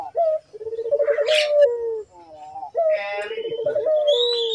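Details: Lively collared dove calling, recorded as a lure to set other doves calling: low throbbing coos with a pulsed start and a long drawn-out falling note, repeated twice, with brief higher chirps of other birds between.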